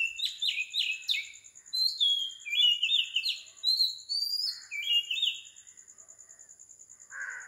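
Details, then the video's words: Predawn song of an Oriental magpie-robin recorded at 4 am in Sri Lanka: quick rhythmic chirps, then a run of clear sweet whistles at shifting pitches, fading near the end to quiet, with a constant high pulsing hum behind. "Magpie Robin Singing"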